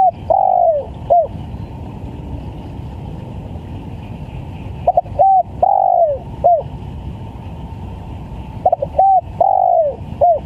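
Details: Energetic spotted dove calling, used to lure birds: a phrase ending opens the clip, then two complete phrases of stuttered notes, a short coo, a long falling coo and a final short coo, spaced by quiet gaps over steady hum.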